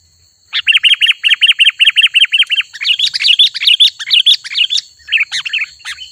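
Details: Sooty-headed bulbul song used as a lure for wild bulbuls and as training audio for caged birds: a quick run of about ten identical bright chirps, then a tumbling jumble of higher, varied notes, over a steady faint whine.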